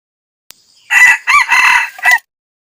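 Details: Male red junglefowl crowing as a decoy to lure wild males: a single loud four-part crow lasting about 1.3 seconds. A broken opening leads to a long sustained middle and a short clipped final note, followed by silence.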